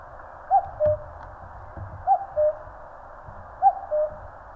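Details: Cuckoo heard in Korean mountains, calling a falling two-note 'cuck-oo' three times at a steady pace, with faint low thumps and rumble in the background.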